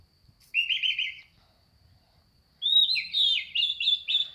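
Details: Male oriental magpie-robin in full, frequent song: two bursts of bright warbled notes, the first a quick trilled run, the second a longer string of rising and falling whistled slurs after a two-second pause, with faint low background rumble.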